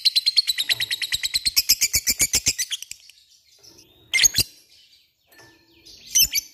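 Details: Lovebird in 'cik cik cerrr' ngekek style: three seconds of quick, shrill, pulsing chatter, followed by quieter pauses punctuated by two short, sharp squeaky chirps.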